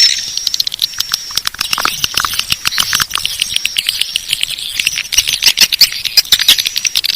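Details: Swiftlet lure call, Bangkit 18 style, played to attract swiftlets: a continuous chattering of sharp high chirps and clicks over a faint steady thin whistle, busy and unbroken throughout.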